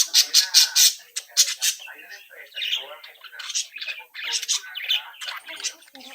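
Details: Budgerigar chicks from one brood chatter and sing: a burst of four loud, sharp high chirps at the start, then continuous buzzy, scratchy warbling from several overlapping birds.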